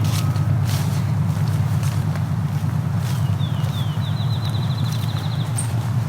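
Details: Field Sparrow's accelerating song in tallgrass prairie at McMaster Forest, Dundas Valley, Hamilton, Ontario: a few high, slurred whistled notes speeding into a fast, even trill, over urban noise of a train and cars, heavy wind rumble and a speaking voice.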